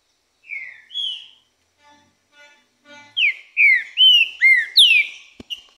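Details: Green-winged saltator singing while in moult, loud, clear whistled phrases with slurred, falling and rising notes, building into a quick run of about six strong whistles after a soft start.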